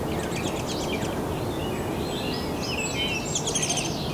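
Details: Begging from downy woodpecker young in a nest cavity, fed by visiting adults; bursts of high, scratchy, rapidly repeated chirps at the start and again near the end, with steady background noise throughout.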